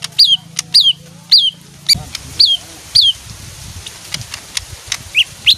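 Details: Small leafbird singing sparse, high down-slurred whistled notes spaced about half a second apart, with a few softer chips between and a low hum underneath.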